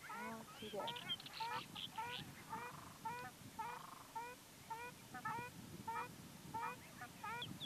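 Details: In Mongolia, Black Terns give short, nasal, downslurred notes, several birds overlapping at about two calls per second, over a steady low rumble of wind or water.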